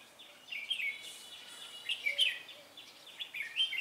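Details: Red-whiskered Bulbul used as a decoy bird for trapping; lively warbled phrases of bright, slurred whistles in short bursts, with other faint high bird notes around.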